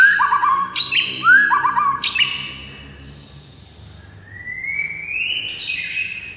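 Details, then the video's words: White-rumped shama singing to provoke rival birds: rapid rising whistles and buzzy upper phrases in the first two seconds, then a softer, drawn-out whistle that climbs in steps. "99% AMPUH pikat Murai batu lawan yang MACET jadi NGAMUK"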